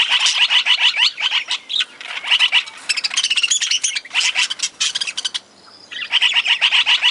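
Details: Caged budgies in a mixed parakeet and lovebird aviary give rhythmic runs of clipped, high chirps in quick series, broken by a short lull near the end before chattering resumes.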